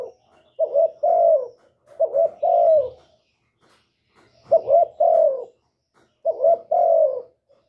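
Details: A male spotted dove coos to stimulate a female into laying. Four soft, low, hooting phrases are heard, each a quick double note leading into a drawn-out falling coo. The phrases come in two pairs, and the surroundings are quiet.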